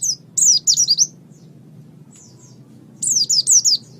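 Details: Oriental white-eye in a master recording meant for training birds, giving two bursts of rapid, high, slurred twittering notes about two and a half seconds apart, with a faint low hum underneath.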